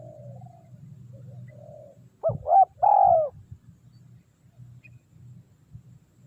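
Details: A spotted dove used as a decoy to lure wild doves gives a soft, rolling three-note coo, the last note longest, after fainter cooing, over a steady low hum.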